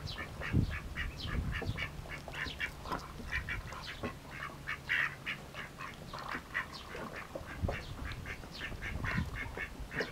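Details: Eagerly feeding Mallard ducklings give a steady stream of short, high, rising peeps, several per second, over soft splashing and a low hum.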